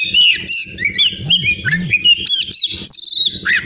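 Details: Oriental magpie-robin (kacer), a caged champion singer from Pemalang, Central Java, Indonesia, delivers loud, rapid whistled phrases, sharp rising and falling slurs and a brief trill, with low voices and murmuring underneath.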